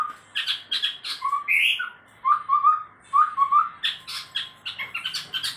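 A chestnut-rumped babbler sings a varied, busy run of chirps and clear mid-pitched whistles, at times sounding like a white-rumped shama. The phrases come in quick, uneven bursts.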